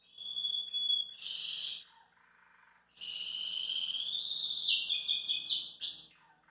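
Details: Belgian canary singing relaxed at a kitchen sink: a steady whistled note and a buzzy phrase, a short pause, then a long rolling trill breaking into rapid repeated slurred notes.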